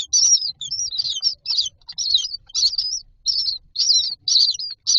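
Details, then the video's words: Common myna nestlings in a row in a nest box beg for food with loud, rapid, high warbling squeals in near-continuous bursts, each under half a second long. "Myna chicks are standing in a row waiting for food"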